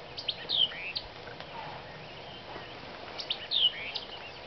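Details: White-eyed Vireo (Vireo griseus) singing at Neal Smith NWR, Prairie City, Iowa: a short, quick phrase of sharp slurred whistled notes, repeated about three seconds later, over a faint background hiss.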